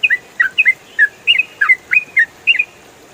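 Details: Yellow-vented bulbul (trucukan) in rapid continuous 'ropel' song used as tutoring audio for songbirds: clear bubbly, chirping two-part notes dropping in pitch, delivered in quick bursts about every quarter second, with a faint steady hiss behind.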